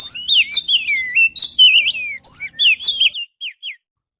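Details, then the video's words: Lure recording of an Oriental magpie-robin, made with a GoPro Hero to draw birds in. It gives a continuous, fast stream of high whistles, warbled slurs and chips for about three seconds, ending with a few short falling notes. "suara pikat burung kacer"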